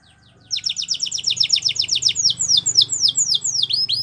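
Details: Training song of a Belgian canary: after a half-second pause, crisp, high descending whistled notes pour out rapidly and continuously over a low steady hum.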